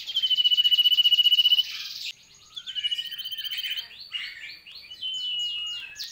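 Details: Sooty-headed bulbul singing energetically. An opening rapid, even rattle-trill is followed by rising and falling whistled slurs and a buzzy, chattering run of notes, with a faint constant high-pitched tone behind.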